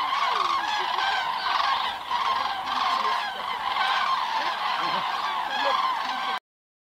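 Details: Massed common cranes on the Hungarian Hortobágy steppe during autumn migration stopover, flocks returning at dusk to night roosts; loud continuous chorus of rolling, trumpeting calls from many birds in waves, ending abruptly.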